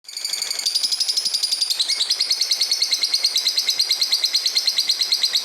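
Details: Fighter-type lovebird singing vigorously (gacor) in rapid, continuous high chatter. Shrill twittering notes pulse many times a second without pause, with the pitch shifting slightly after two seconds, in a small indoor space.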